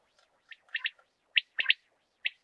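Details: Rain quail calls used as a hunting lure: short bright double notes in paired bursts, scattered irregularly over a quiet background.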